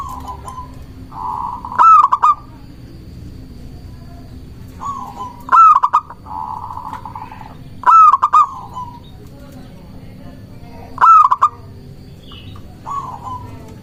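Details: Local zebra dove from Indonesia singing persistently to attract and challenge other doves; repeated phrases of soft purring coos then sharp stuttered cooing bursts, about five phrases over fourteen seconds, faint hum behind.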